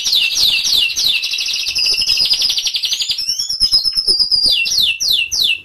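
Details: Canary song used to stimulate silent canaries into singing: rapid high trills and buzzy rolling tours, with fast repeated notes sliding down and swooping upward, continuous and loud throughout.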